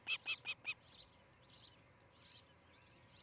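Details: Osprey at a nest near Charlo, Montana, on a nest camera early on the morning of 13 July 2018. Four loud, high, sharp whistled notes come in quick succession. Softer, fainter chirps follow over a background hiss.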